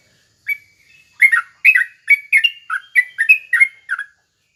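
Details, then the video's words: Yellow-vented bulbul (trucuk) singing to provoke other kept bulbuls into replying: about ten short, bubbly, slurred whistled notes rising and falling, delivered rapidly in quick succession over three seconds against a quiet background. "suara trucuk SATU ini AHLINYA bikin terapi burung trucukan gacor lawannya bikin NYAUT"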